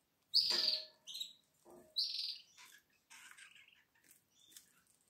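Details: Atlantic canary chicks, one week old, recorded 12 April 2022: a loud shrill squeal followed by several shorter, fading high squeaks and faint scratching.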